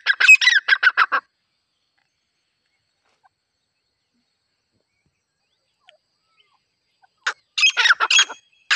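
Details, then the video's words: Female grey francolin call used for hunting: a short burst of grating, repeated notes, a long silence, then another harsh burst. "Dise female titar ki awaz"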